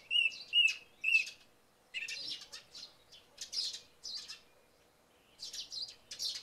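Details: At dawn after a night of rain, a song thrush opens with a loud whistled note sung three times in quick succession. Scratchy high chirps from sparrows follow, and there is a short quiet spell.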